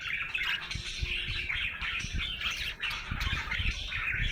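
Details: Budgerigar in a happy mood giving continuous harsh, squawky chatter mixed with chirps, with low knocking sounds underneath.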